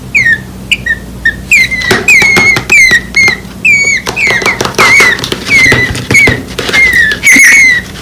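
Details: Begging from two tiny nestlings, less than a week old, lying on the ground after workers cutting palm trees moved their nest: a rapid run of high, squeaky, downslurred peeps with tapping and rustling noises between them.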